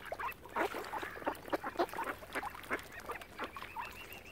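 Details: A crowd of ducks around a swan family on Lough Neagh, Oxford Island, Ireland, utters quick, rasping quacks with some higher, squeaky notes mixed in, calling almost continuously.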